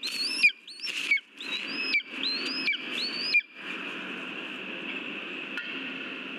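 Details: Mouse delivery at a lesser spotted eagle nest in Latvia, 13 August 2023. Five loud, rising, squealing whistles follow each other about every 0.6 seconds, then only a steady background hiss remains.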